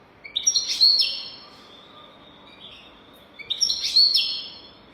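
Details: European goldfinch singing in the 'golden throat' style, used for teaching young goldfinches: two bright twittering bursts with buzzy trills, joined by a thin drawn-out tone, about three seconds apart over a quiet background.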